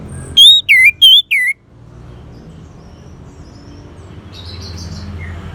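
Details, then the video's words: Orange-headed thrush song used as 'therapy' to get a silent bird singing: four loud whistled notes in quick succession, each sliding down, then a quiet hum for the rest. "Terap1 Suara ANIS MERAH Macet Bunyi Agar Mau Kenceng Dengar Kicauan Ini."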